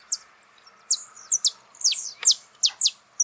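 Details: Saffron finch song recorded live outdoors, a brisk sequence of piercing high chirps dropping in pitch, about two or three per second, irregularly spaced.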